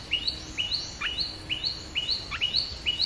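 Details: Red-whiskered bulbul call, played to lure wild birds: clear upslurred chirps, each ending in a short downward hook, repeated about twice a second over faint background hiss.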